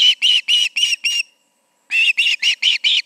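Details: Osprey at the Charlo nest, evening, August 20, 2019, 7 pm, two birds present: five clipped whistled chirps, a half-second break, then five more at the same quick pace.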